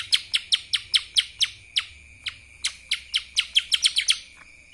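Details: Kapas tembak style song from a mini lesser green leafbird: loud, crisp, high chips fired in rapid bursts, speeding up into tight clusters near the end, with a faint continuous high-pitched whine underneath.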